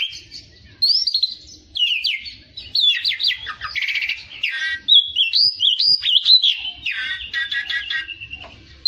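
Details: Oriental magpie-robin trained as a fighter kacer: lively sequence of looping whistles, rapid stuttering trills and buzzy rattles, sung loudly in varied short phrases.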